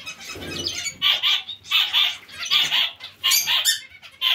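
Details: Calls from a zebra finch colony shared with other small finches: clear nasal, trumpet-like beeps given in doubled bursts about every half second, over soft background chatter and a brief low rustle at the start.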